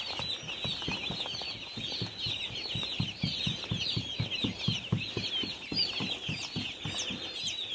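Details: Dense chorus of baby chicks on a farm, with shrill, overlapping peeps forming a continuous high chatter over soft, regular low pulses of music.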